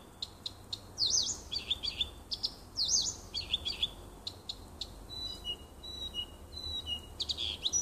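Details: Nightingale singing in a small wood near a house on 30 June 2015: varied high phrases of sharp clicks, swooping whistled notes and a run of pure steady whistles, with short pauses between bursts.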